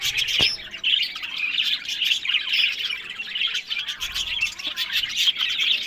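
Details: Budgerigars kept for pet breeding in Larkana, Sindh. Several birds give a constant mix of shrill chirps, grating squawks and quick warbled phrases, with an occasional click.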